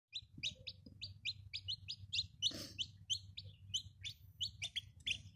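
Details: Chicks peeping continuously, a steady stream of high, short, slightly falling cheeps several per second from more than one bird, with a low hum behind.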